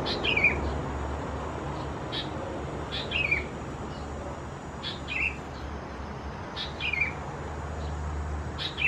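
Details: Young Sooty-headed Bulbul chicks (Pycnonotus aurigaster thais) at Khao Yoi, Phetchaburi, Thailand, June 2020: short, sharp chirps that slur downward, repeated about every one and a half to two seconds over a steady low hum.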